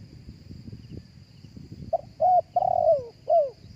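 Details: Live spotted dove cooing, meant for luring other doves through a speaker. About two seconds of low rustling pass first. Then comes a brief note, a held coo, a long throaty coo sliding downward, and a final descending coo. A thin insect whine continues throughout.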